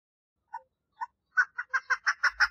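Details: Female chukar partridge seeking a mate: two quiet, lower notes spaced half a second apart, then an accelerating string of loud, raspy clucks.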